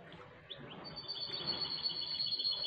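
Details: Goldfinch hybrid while bathing: thin, high sustained twittering notes following a few short chirps, with a low background murmur throughout.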